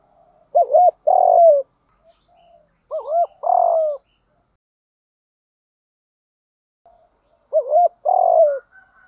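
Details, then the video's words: Low, soft cooing of a spotted dove, played to train captive doves to coo: three separate phrases, each a brief double-humped note and a longer falling coo, spaced about three seconds apart with silence between. "tiếng chim cu gáy tập bổi nhanh nổi và hiệu quả, tiếng thúc gù, gáy gọi, luyện mồi gáy theo sung mãn"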